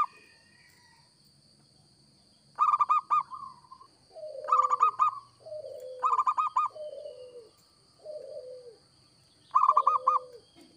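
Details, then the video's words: Local zebra dove in full song, offered for luring birds: four phrases of rapid, bubbling coo notes, answered between phrases by softer, lower, falling coos, with a constant thin high-pitched hum behind. "Perkutut Lokal Gacor‼️Cocok Buat Pikat"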